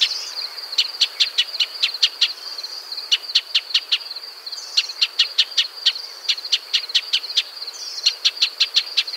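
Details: Shining sunbird calling in its natural desert habitat of dry scrub: repeated runs of six to eight hard, dry chips fired in quick succession, each run separated by short pauses, with a constant high whine droning underneath.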